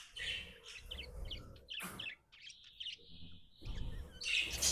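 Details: Happy pet budgerigar chirping: rapid bursts of bright, scratchy chirps and warbled notes that run into a steady buzzy tone midway, with brief clattering noises and a low background rumble between the bursts.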